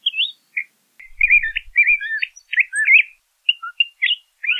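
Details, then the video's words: A LeConte's thrasher (Toxostoma lecontei) sings a rich, varied run of whistled and slurred phrases, some rising, some falling, in quick bursts with brief pauses. "LeConte's Thrasher Song! LeConte's Thrasher Call - Cuitlacoche Pálido Canto"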